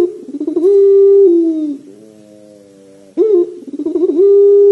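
A Barbary dove gives long, rolling coos that waver and dip, broken by a softer, lower hum before the cooing starts up again.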